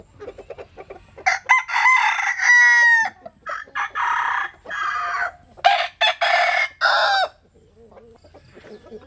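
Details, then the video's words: Japanese and Cuban bantam chickens sunbathing, crowing repeatedly: successive harsh crows with sliding and held notes run back to back over about six seconds, with soft clucking before and after. "Gà Tre Jap Cuban Tắm Nắng. Gà Gáy/ Chicken Bamboo Jap Cuban Sunbathing. Crow"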